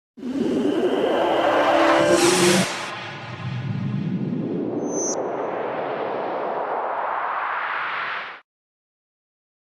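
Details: A loud whooshing burst followed by a long rising synthetic sweep that cuts off abruptly, with a brief ping midway and no animal sounds.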